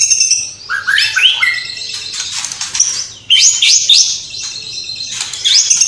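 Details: White-rumped shama, Cililin, singing vigorously with mimicked sparrow, fighting-lovebird and kapas tembak calls: quick whistled upslurs, harsh high chattering, then bursts of sharp rising notes and trills.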